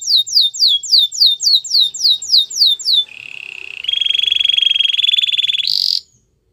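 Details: Canary training song: about three seconds of repeated high downslurred whistles, then a fast, even rolling trill that rises in pitch and ends with a brief bright burst.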